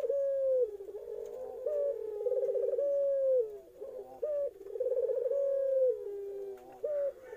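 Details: Young Eurasian collared dove cooing: low hollow coos alternating with quick rolling trilled notes, phrases broken by short pauses, roughly two dozen units a minute, with a faint steady background tone.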